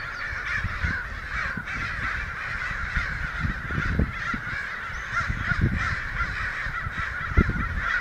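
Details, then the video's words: Many American crows, around a hundred, excitedly calling in Santa Rosa on May 29, 2013, most hidden from view; steady massed harsh caws pulsing throughout, with scattered low rumbling thuds underneath. "Crows Excited"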